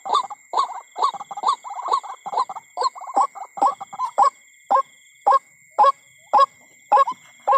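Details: Calls of a white-breasted waterhen at night beside a corn field, recorded while hunting birds: clipped, nasal mid-pitched notes, first in quick clusters, then single notes spaced about half a second apart, with steady insect tones.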